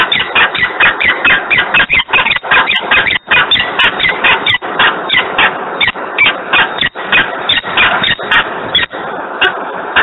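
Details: Wild peregrine falcon calling in Włocławek, 3 December 2020, 10:36 in the morning: a long, almost unbroken stream of harsh, grating screams in quick succession, occasionally pausing for a split second before resuming.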